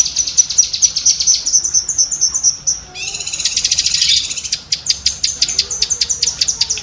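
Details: Fast chattering of a cucak kinoi bulbul, used as training audio for pet birds: bright ticking notes, then a harsh buzzy burst, followed by loud evenly spaced clicks.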